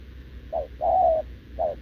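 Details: Short-legged wild-caught spotted dove cooing with a decoy: a brief low coo, a long drawn-out coo, then another brief coo.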